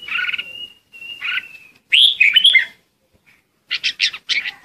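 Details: Red-whiskered bulbul lure song used to call the flock: short warbled phrases around mid-high pitch, a thin level whistle, then a bright fluttering burst and a closing run of quick chirpy notes after a pause.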